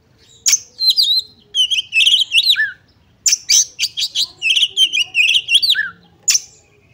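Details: Lure recording of a female oriental magpie-robin meant to provoke males into a fighting mood: two dense runs of rapid chips and warbled whistles, each ending in a falling slurred note, separated by a short pause.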